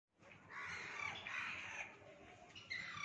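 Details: Rose-ringed parakeet giving a long, harsh, rasping screech that runs almost without a break for three seconds. The noisy call wavers and ends with a short, higher squawk.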